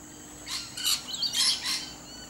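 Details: A wild lorikeet in a tree gives four harsh, high screeching bursts over about a second and a half, with a faint steady hum underneath.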